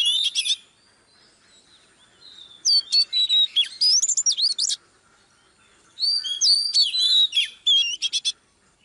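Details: Female Oriental magpie-robin, heard live working up a male: a brief opening burst, a pause, then two varied phrases of sliding whistles and rapid chattering notes separated by a gap.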